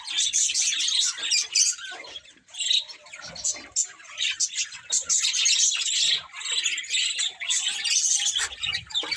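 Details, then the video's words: Group of pet budgerigars chirping, a steady flow of high, scratchy warbling and quick twitters, swelling and easing in loudness, with faint low rustles. "Cute Budgies Chirping Sounds"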